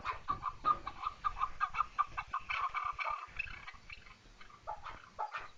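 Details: Chukar partridge call: a fast series of sharp clucks that then thins into a few scattered, softer notes.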